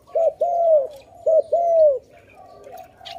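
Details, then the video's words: Dove calling loudly, apparently near a bird trap: two loud cooing phrases, each a short hooked note followed by a longer arched, slightly falling coo, with faint distant bird notes in the background. "Video lovely dove so loudly, Sound of good dove"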